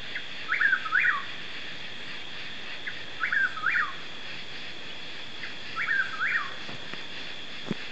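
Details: Chuck-will's-widow (Antrostomus carolinensis), a night caller apparently on the ground in mixed Piney Woods forest north of Houston, East Texas, USA, repeats its whistled 'chuck-will's-WID-ow' phrase three times, roughly every two and a half seconds, over a steady high insect drone.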